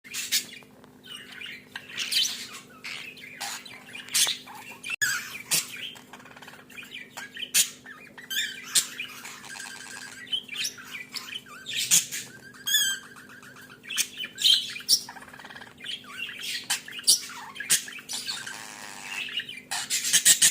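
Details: Budgerigar; mating chatter; courtship and mating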